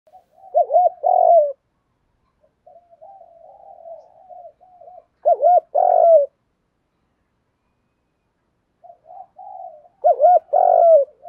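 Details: Decoy spotted dove giving its urging 'thúc' coo to lure and provoke wild doves: soft wavering low notes, then loud paired looping coos and a long drawn note, phrase repeated three times about every five seconds, with no other sounds.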